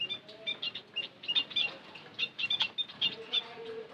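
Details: White-headed munia lure call: rapid series of short, thin, high chirps, several a second, overlapping as if from many birds, with a faint lower drawn-out whistle underneath.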